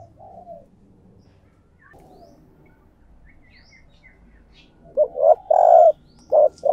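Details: Spotted dove decoy calling to lure other doves. Faint, low murmuring and a few distant chirps lead into a closing run of loud, husky coos: short, long and short notes near the end.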